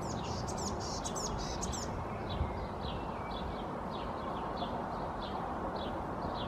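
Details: Eurasian blue tit perched on a tree branch and preening in Helsinki, Finland, in May 2024, giving hoarse, scratchy high notes: a quick rasping burst, then softer chips about every half second, over a steady background hiss.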